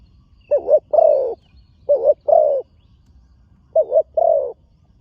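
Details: Young training spotted dove on a dirt competition ground for the first time. Three deep cooing phrases, each a quick doubled note followed by a longer, slightly falling coo, on a quiet background.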